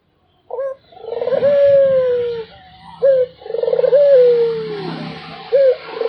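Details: Continuous cooing from a Barbary dove: two full phrases, each a sharp short note followed by a long vibrating coo that drifts lower, with a third starting. Noticeable background rumble and hiss.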